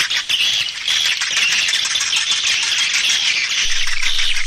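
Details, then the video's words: Swiftlets lured with a calling sound: loud, unbroken high chattering and buzzy twitters, with a low pulsing hum entering near the end. "Suara panggil burung walet"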